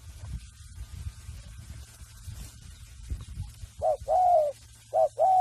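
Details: Free-range reared spotted dove practising coos: after a stretch of low background rumble, two loud phrases appear near the end, a short note followed by a longer smooth coo.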